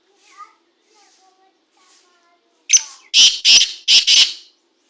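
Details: Black francolin, called the Sindhi partridge; faint thin notes at first, then a loud harsh grating phrase of about four rapid scratchy bursts.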